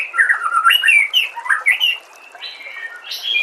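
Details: White-rumped shama song with fluty, wavering whistled phrases that drop and rise. After a short gap come longer, steadier high whistles at the end.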